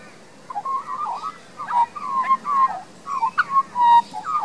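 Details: Resident young Australian magpie in a garden in Queensland, Australia, sounding soft, flute-like warbled whistles in short wavering phrases separated by brief pauses; captured on a Panasonic Lumix DMC LX7 camera.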